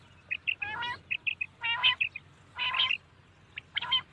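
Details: Common quail calling at night: short, clear whistled notes in quick groups of two or three, mixed with louder harsh, rasping bursts in between.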